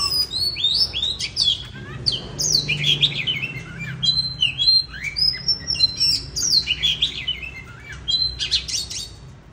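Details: A bird sings in the 'than già rừng' style, winter 2023: lively, fast sequences of high, sliding and chirping notes in varied phrases, with brief pauses and a faint low hum beneath.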